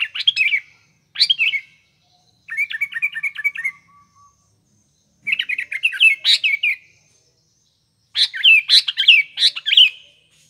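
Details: Sooty-headed bulbul singing, a recording meant as a lure for morning, afternoon and night; short bursts of sharp chirps and quick bubbling phrases, one a fast trill of even notes, separated by brief pauses.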